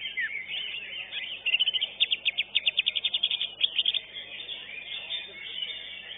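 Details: Greater green leafbird, the first-place winner of a singing contest, delivering a fast burst of sharp, high repeated notes, about four per second, framed by jumbled chattering phrases.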